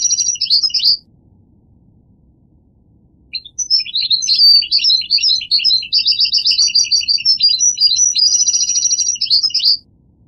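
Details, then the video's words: Goldfinch singing: a short high twittering burst, about two seconds of quiet, then a sustained rapid stream of liquid, chattering notes alternating high and lower tones, ending on a bright trill. "The Resonant Chirping of the Goldfinch Bird"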